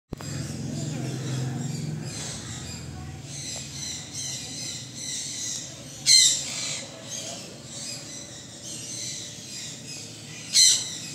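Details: Sun conure (Aratinga solstitialis), call.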